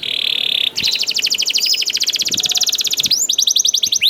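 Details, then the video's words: A steady buzzy tone from a young canary, used to stir other canaries to sing, breaks into a long, fast, even trill and then a few rising chirps. "KENARI GACOR DOR NGEDUR NGOTOT CUIT CUIT NGEROL AMPUH PANCINGAN KENARI PAUD"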